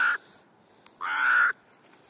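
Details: Crow at an afternoon gathering in Clara Zetkin Park, Leipzig: two harsh, flat caws, a clipped one at the start and a longer half-second call a second later, over a quiet background.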